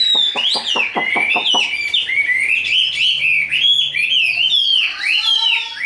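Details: A quick series of sharp clicks opens, then a tame, large caged Chinese hwamei pours out continuous wavering whistles and upward slurs during its đấu xòe fighting display.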